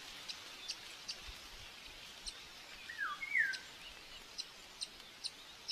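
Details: May 5, 2024 breakfast feeding at a common buzzard nest in Tiszalök, Hungary, with an aggressive chick; two linked whistles, the second louder, curve downward midway, while faint regular ticking continues behind them.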